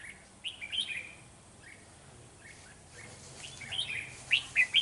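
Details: Red-whiskered bulbul decoy singing to challenge rivals during trapping on 13 November 2018: short bright whistled warbling phrases, a burst near the start and a louder run of quick notes at the end, with quiet background between.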